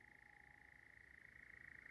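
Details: European nightjar churring on a summer evening in the darkness of a tinder-dry part of Sherwood Forest, at least two birds present; a faint, steady, rapidly pulsed mechanical churr runs unbroken throughout.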